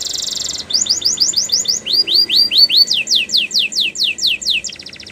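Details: Canary singing, used as training song: a buzzy high trill opens, then rapid series of downward-sweeping whistled notes repeated about two to three times per second in shifting tours, ending in a fast rattle.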